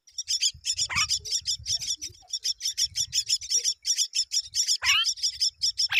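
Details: Baby mynas begging while both parents feed them: a steady stream of high, harsh chirps about three per second, broken by occasional sliding squawks from the adult birds.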